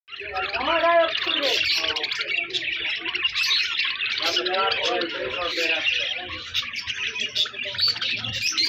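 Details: Budgerigars kept with other colourful Australian parrots chatter continuously in busy, warbling twitters, mixed with scratchy chirps and short whistles.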